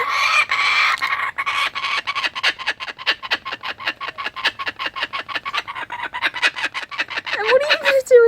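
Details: Adult Laughing Kookaburras sharing food, one excited after catching a skink, give a harsh, rapid chattering of repeated notes, about eight per second for seven seconds, then a short rising-and-falling whistled note.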